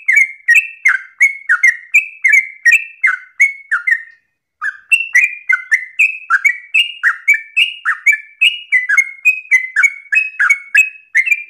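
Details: Yellow-vented bulbul in persistent, long-breathed, rapid song, phrasing said to be easily copied; a steady stream of loud sliding whistled notes over eleven seconds with a single short pause near four seconds.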